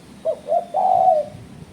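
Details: Spotted dove call used as a lure for challenging rivals: two brief low coos followed by a long, steady coo that sags slightly at its close.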